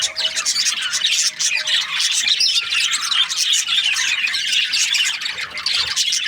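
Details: Cheerful budgerigar chatter during breeding season: many birds giving overlapping high squawky chirps and rapid warbling without a pause, a faint steady tone early on.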